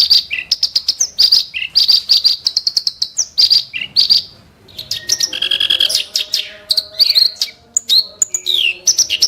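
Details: Loud, harsh song of a clamorous reed warbler kept to tutor other birds: rapid high staccato notes and scratchy phrases, a short lull, then varied whistles, buzzes and slurred notes.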